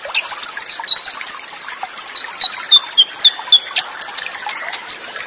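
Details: Konin, the olive-backed sunbird, on a full fill-in training track with cililin bursts and water sound: a series of clear high whistled notes spaced about a third of a second apart, gently falling in pitch, over soft trickling water.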